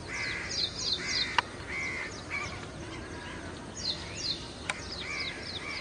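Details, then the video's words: Ashy prinia at a backyard water catchment by the Gadhi River, Panvel, India: clusters of high, thin down-slurred notes in two bursts, mixed with lower harsher calls around them and a couple of sharp clicks. "Ashy Wren Warbler"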